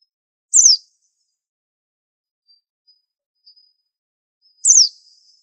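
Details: Two isolated high, thin notes from a very unusual white-eye with a unique training song. Each sweeps quickly downward and they come about four seconds apart, with faint soft ticks between.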